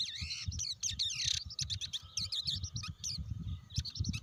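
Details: Blue-winged leafbird pouring out fast, jumbled twitters, clipped whistles and rasping chirps in dense bursts, with low rumbling noise underneath throughout.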